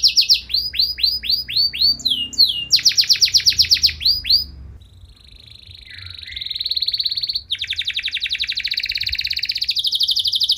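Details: Canary singing loudly, said to provoke other canaries into answering: rapid repeated downslurred notes, a sweeping rolled phrase, then a long steady buzzy trill, all high-pitched with a quiet background.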